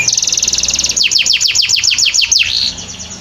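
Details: Canary song used as training material, opening with a rapid buzzy trill, then about ten quick descending whistled notes in a row, ending in a short sustained whistle; faint low hum behind.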